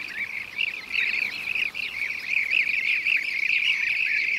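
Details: Blue-cheeked bee-eater with bee prey giving a steady run of rolling, liquid chirps in rapid succession, almost continuous, clear over a quiet background.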